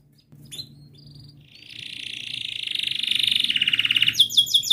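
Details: Canary song played to coax a silent canary into singing: a few thin chirps, then a long buzzy trill swelling in loudness, ending in quick high repeated notes.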